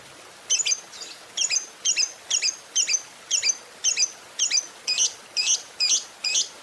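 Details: Morning lovebird chatter used to stimulate other lovebirds: sharp, very high chirps repeated about twice a second, each a quick downward flick, thirteen in a row against a quiet background.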